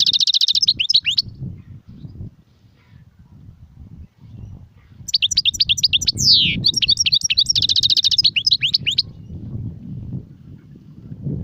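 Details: European goldfinch singing in the serfati, gzrati and tserseer styles: a short burst of bright, fast twittering, a pause, then a longer run of chattering trills broken by one sweeping downward slur, with low background rumble throughout.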